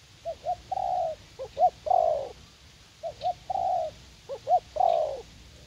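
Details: Young decoy spotted dove eager for a fight, used to lure doves in a U Minh garden; soft hooting coos in three phrases, short doubled notes leading into a drawn-out falling croon, low hum throughout.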